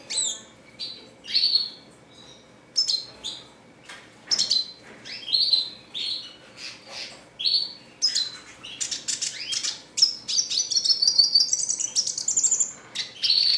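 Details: Red siskin, classic singing style: short high chirped phrases at first, spaced a second or so apart, then a long fast trilling twitter with buzzy rattles and whistles.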